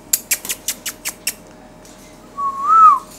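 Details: A pet rose-ringed parakeet talking to its reflection in a mirror, apparently taking it for another parrot, gives seven quick, sharp clicks, then a smooth rising-and-falling whistle, in a small indoor room.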